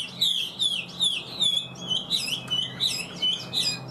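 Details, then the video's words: Chinese hwamei in the bird-keeping hobby, a big bird noted for singing well, delivers a continuous high, bright song of rapid trills and slurred whistles in short surging phrases about twice per second, over a faint low hum. "Ngũ trường bộ to, hót tốt, bóng bộ cực đẹp | Họat Họa Mi"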